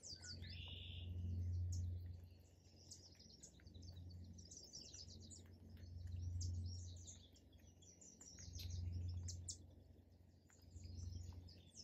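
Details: Park birds chirping and singing, with a short lower whistled phrase at the start, then continuous overlapping high twitters and chips, over a deep background rumble that swells and fades roughly every two to three seconds.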